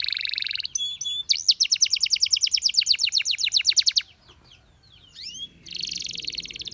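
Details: Canary singing, one of several performances offered for song training: a buzzy high trill, then a long run of rapid repeated rising notes, a quiet gap with thin whistled slurs, and a final dense buzz.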